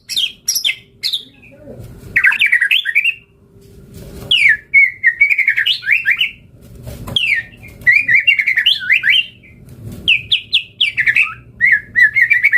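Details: White-rumped shama in vigorous full song with imitated phrases, used as a lure and tutor recording to provoke other shamas to answer: loud bursts of rapid whistled and chattering phrases around high pitch, separated by short pauses, with faint low background hum.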